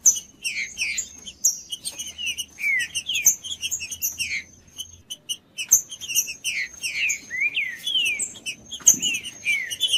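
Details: Green-winged saltator song played to warm up a cold trinca-ferro: repeated phrases of slurred, falling whistles in two bursts with a brief lull between, accompanied by clicks and a low intermittent hum.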